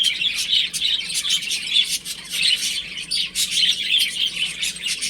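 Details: Baby chickens at home during play: overlapping shrill peeps form a dense chirping stream, pulsing in loudness roughly every second.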